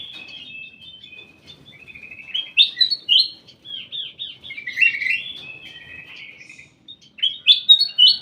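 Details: Ruby-throated bulbul singing in a private aviary: a long, lively stream of slurred, bubbling whistled notes with loud peaks, a short gap, then more bright phrases.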